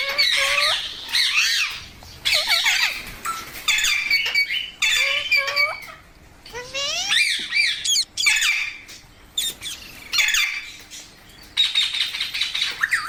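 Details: A green parrot chatters in long bursts of harsh, buzzy squawks and wavering whistles, pausing briefly between outbursts over about thirteen seconds.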